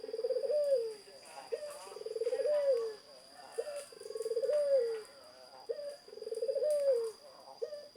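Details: Zebra dove singing: low, rolling cooed phrases repeated about every two seconds, each a short note followed by a longer purring trill that swells and ends on a brief higher note, over a steady high-pitched electrical whine.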